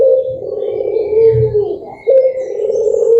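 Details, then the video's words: Barbary dove song used to draw other birds into singing: one long, smooth, low coo drifting downward, then after a short gap another coo begins sharply. "SUARA BURUNG PUTER MERDU"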